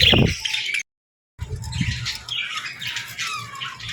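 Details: Caged budgerigars and lovebirds chirping at feeding time: a loud opening burst, a short gap of silence, then steady overlapping high chirps and twittering with low thumps of movement.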